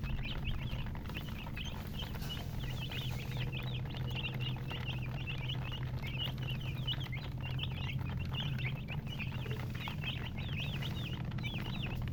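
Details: Chicks keep up a busy chorus of short, bright, upslurred peeps, many per second and overlapping, running unbroken for the whole stretch above a low steady hum.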